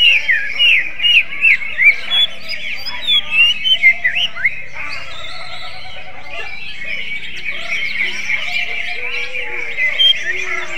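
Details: Greater green leafbird delivering a long kacer-like song: rapid, varied whistles and downward flicks in close bursts for about five seconds, easing into softer continuous twittering with occasional clearer notes.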